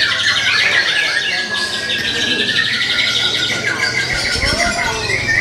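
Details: Young white-rumped shama from the forest delivering steady, busy song of quick repeated notes, fluting whistles and trilled runs, with a low thump near the end.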